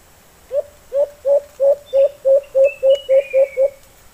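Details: Wild white-eared brown dove answering a kept decoy bird, with a strong response, gives eleven short, low hollow coos in an even run lasting about three seconds, each note slightly rising; faint higher whistles sound in the background.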